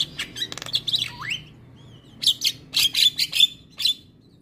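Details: Black-winged myna morning training song for mynas: rapid harsh chatter with a down-slurred whistle, a quiet pause, then a series of loud buzzy squawks with sharp whistled notes.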